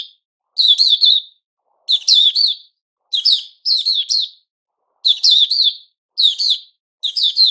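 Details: White-crowned shama (Puteh Raja) in its season of new plumage sings rhythmic short phrases of ringing, harmonic-rich notes, about seven phrases with even pauses.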